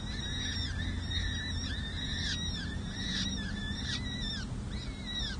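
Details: Four young peregrine falcons, six to seven days old, calling at their San Jose City Hall nest ledge during a parent's feeding, May 2024. Rapid, shrill, down-curving cheeps repeat several times a second over steady low-frequency noise.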